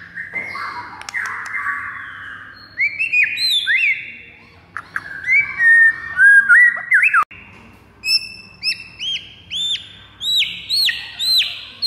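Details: Fighting song of a white-rumped shama used to provoke rivals: varied loud whistles, rich lower phrases giving way to rapid repeated upswept high notes, delivered in bursts separated by short pauses.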